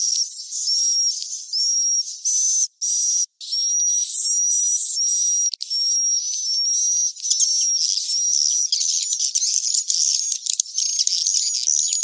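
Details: Swiftlet roosting call from caves, used in swiftlet farming to lure birds: repeated short rising whistles over constant high chatter, growing denser and more twittering in the second half.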